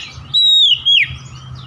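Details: Kacer (Oriental magpie-robin) lure song meant to prompt reluctant birds to sing: one long bright whistle gliding slowly downward, then a short second whistle dropping steeply.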